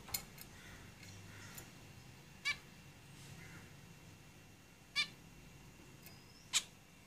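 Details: Caged zebra finches give four strong, short nasal calls roughly two seconds apart, interspersed with light clicks and a thin high whistle before the final call.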